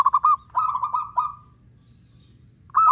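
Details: Zebra dove of local wild Blora stock, singing to lure other doves: the tail of pulsed notes, then a rolling coo phrase of several beats, a pause, and a new phrase starting, with a constant faint hum.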